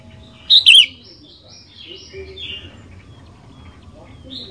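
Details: Sooty-headed bulbul in full song, meant to trigger singing in other bulbuls: one loud, quick, falling double-noted phrase, followed by faint thin whistles from another bird behind.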